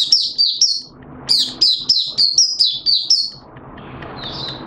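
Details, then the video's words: Caged Malaysian white-eye (mata puteh) singing, 21 June 2023: a string of sharp, high descending chirps repeated quickly, then a quieter stretch with one thin trailing note. "Malaysian Mata Puteh Buka Sing"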